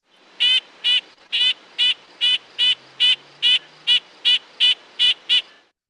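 Nuthatch giving a steady series of about thirteen nasal, tinny 'yank' notes, roughly two or three per second, with a faint low hum behind.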